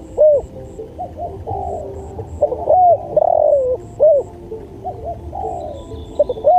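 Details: Spotted dove cooing for training use: repeated phrases of quick clipped notes, arched coos and a long descending coo, about every three seconds, with faint high chirps and a thin high whistle near the end.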